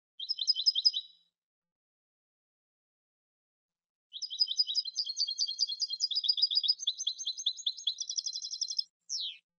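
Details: European goldfinch singing: a short twittered phrase, a pause, then a long five-second flow of fast, bright, tinkling and buzzy notes ending in a quick trill and a thin falling call; quiet background.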